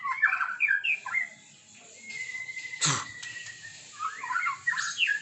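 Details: White-rumped shama in the morning giving warbled whistled phrases, a long steady whistle and a sharp click midway, then more rapid melodious notes against a faint background hiss.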